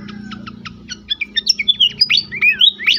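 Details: Horsfield's babbler song used as a training recording for caged birds: steady clipped ticking notes build into loud sweeping whistles rising and falling, over a low steady hum.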